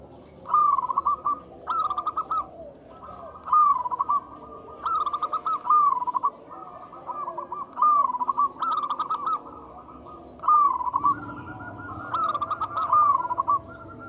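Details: Local zebra dove in loud song, used as a lure to get silent doves singing: short bursts of quick, bubbling coo notes repeat roughly every one and a half seconds over a constant high-pitched electrical hum.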